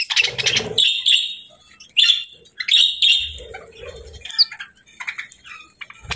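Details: Budgies sound happy here, giving a string of bright, slightly buzzy high chirps in short bursts about once a second, with a few soft low murmurs and thumps between them.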